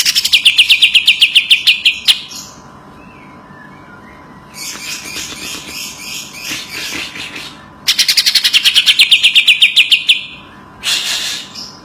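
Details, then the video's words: Greater green leafbird (cucak ijo) singing hard, kacer-like, as a training model: loud rapid trills of repeated sharp notes alternate with quieter scratchy, chattering passages and brief harsh bursts. "Burung Cucak Ijo Gacor Suara rapet - cucak hijau Gacor rasa kacer |Masteran CUCAK IJO Juara"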